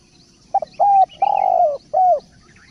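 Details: A single spotted dove phrase, derkuku in local terms: short stuttered note, clear coo, long vibrating coo sinking gradually in pitch, then a crisp final coo. Light high twitters linger in the background.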